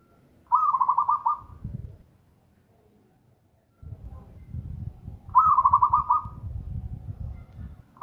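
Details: Loud, strong song of a local zebra dove: quick stuttering cooing phrases of rapid pulsed notes, repeated about every five seconds, with low background rumble between them.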